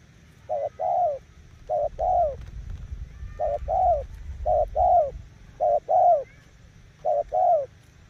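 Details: Spotted dove used as a decoy bird, showing its cooing style: paired coos, a short note then a longer falling one, repeated in groups with brief pauses, over a low background rumble.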